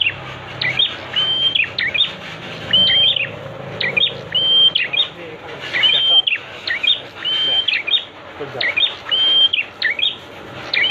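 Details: Prinia song for tutoring kept birds: a lively series of high chirping phrases, several with a drawn-out level whistle, repeated steadily over eleven seconds above a soft low hum.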